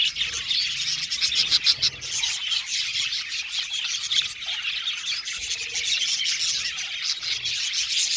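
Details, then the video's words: Flock of aviary budgies singing and chirping, busy high twitter punctuated by a few louder squawks and sharp clicking notes. "Budgies singing and chirping sound"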